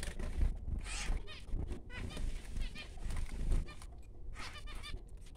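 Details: Newborn baby finches giving faint, buzzy, high chirps in a few short clusters, mixed with rustling and a low background hum.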